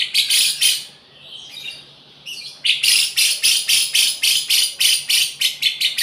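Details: Lovebird singing with a song learned from the cucak jenggot (grey-cheeked bulbul): a brief burst of harsh, high chirps, a quieter pause, then a fast run of about a dozen sharp, scratchy notes, roughly four each second.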